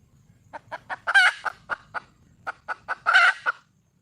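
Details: Female wild junglefowl seeking a mate gives rhythmic staccato clucks, twice rising into a loud, grating, drawn-out squawk before dropping back to single clucks; the background is quiet.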